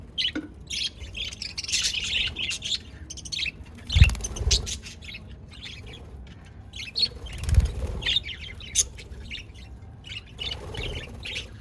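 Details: Budgies recorded 22 January 2024 twitter in scattered high chirps and short warbles, mixed with several low bumps and rustling noises.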